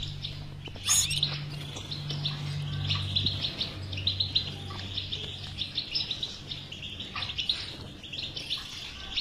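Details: European goldfinch batbata song for getting a silent goldfinch to sing: a sharp loud note, then steady rapid twittering and chattering, accompanied by a low electrical-sounding hum through the first half.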